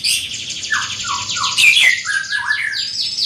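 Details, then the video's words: Greater green leafbird, large-bodied and loud-voiced, delivers a busy tangle of high trills with lower, falling whistled notes threaded through. "Burung Cucak Ijo Body Besar Suara Tembus Joooos"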